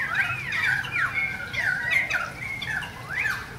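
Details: Several currawongs visiting during a rain shower give loud, ringing whistled notes that swoop up and down, overlapping in quick succession, over a steady hiss of rain.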